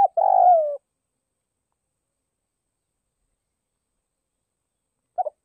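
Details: Decoy spotted dove from northwest Vietnam calling to lure and provoke wild doves: one low, throaty cooing phrase lasting under a second with a slightly falling end, then long silence before a brief soft coo at the close.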